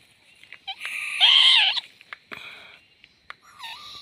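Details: Young owl heard while swaying: a few short chirps lead into a loud, harsh, hissing screech lasting about a second. Softer rasps and a brief descending whine follow.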